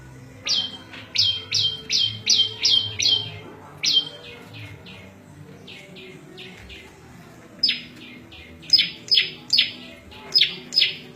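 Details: High, clipped chirps of the prenjak lumut prinia, kept for training caged birds and luring wild birds. Bursts of rapid descending notes are split by a quieter stretch of softer chirps before loud notes return.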